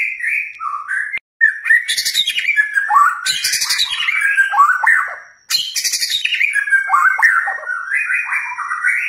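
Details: White-rumped shama song used to stir a caged bird into emotional singing; varied squawky and chattering phrases with sliding whistles, broken by two loud rasping bursts and a brief cut-out.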